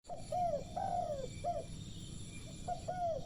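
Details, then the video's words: Spotted dove perched on a lamp post, cooing: a series of low, arched, mellow coo notes, repeated in short phrases with brief pauses, over a steady background hiss and faint high electrical whine. "terkukur manggung di tiang lampu"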